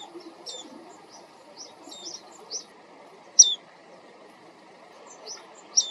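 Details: Japanese white-eye, wild, recorded on a compact camera while out walking to watch birds: scattered short, thin high chirps and quick down-slurred notes at irregular intervals, one louder note standing out, with faint low background noise.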